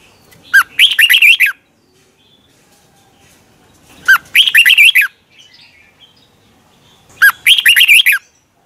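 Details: Red-whiskered bulbul in morning singing practice, used as a lure to get other birds singing fired up. Three loud rapid phrases, each about one second, of warbled rising-and-falling whistled notes, separated by roughly two-second pauses; quiet background.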